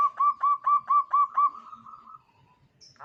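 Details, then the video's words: Local zebra dove in full voice, its crystal-like song used for luring birds: six evenly spaced rolling coos that trail into a fading drawn-out note, followed by a brief sharp noise. "perkutut lokal gacor suara keristal ampuh untuk pancingan"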